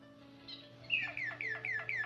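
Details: White Waterslager canary from the Belgian song breed: after a quiet opening, a row of five clear downward-sliding whistles about a quarter second apart, with steady low hum behind.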